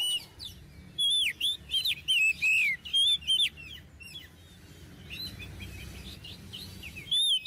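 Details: Oriental magpie-robin, a bird kept to tutor young songbirds, delivering a rapid run of looping whistled notes and chirps, then fading to quiet before a final whistle.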